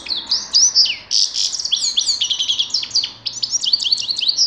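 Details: Grey-crowned goldfinch singing a fast, unbroken twittering song of bright chirps, trills and quick up-and-down whistled notes, high-pitched and lively, with only a short pause after the first second.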